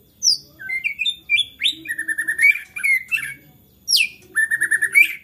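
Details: White-rumped shama singing agitatedly, a song said to spur other shamas to sing: varied bright whistles, upslurs and rapid chattering trills in quick bursts, with a brief pause before another loud rush of phrases.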